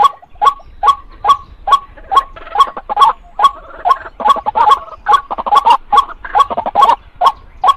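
A female white-breasted waterhen gives a steady run of harsh, clucking mid-pitched notes, about two or three each second, with overlapping croaky notes in the middle.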